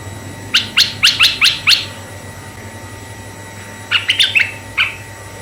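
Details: Red-eyed bulbul singing steadily as bait for male and female bulbuls: six quick ringing chirps in a row, a pause, then a tumbling cluster of warbled notes fading out, low hum underneath.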